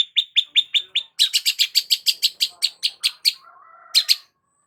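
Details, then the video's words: Long-tailed shrike (cendet) in lively song, used to provoke other shrikes: a fast series of sharp, evenly repeated chattering notes, about fifteen in three seconds, ending with a brief low warble and a final double note. "BURUNG CENDET GACOR PALING AMPUH UNTUK PANCINGAN CENDET STRES"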